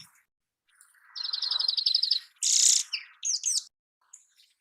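Dark-eyed Junco giving a quick, even trill of about a dozen high notes, then a harsh buzzy burst and a few sharp chips.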